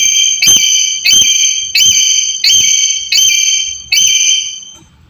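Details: Black-capped lory, used as a lure to stimulate a quiet caged bird to call: loud harsh screeching calls with strong harmonic bands, six notes repeated roughly every 0.7 seconds, each abrupt and sustained then fading.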